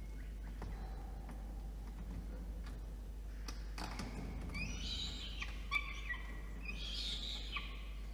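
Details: Evening food delivery by a male peregrine falcon to its chick, nest box on a water tower, Orange, NSW, Australia, 5 November 2021; after quiet shuffling, two bursts of harsh, descending begging screams.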